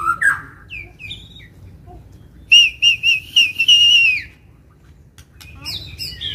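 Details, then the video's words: Provoked, fighting white-rumped shama: a few scattered whistles, then a loud steady series of about seven rapid pure whistled pulses ending in a falling slur, followed by quieter, higher twittering notes. "MURAI BATU TARUNG || PANCINGAN MURAI BATU EMOSI IKUT GACOR DAN FIGHTER !!!"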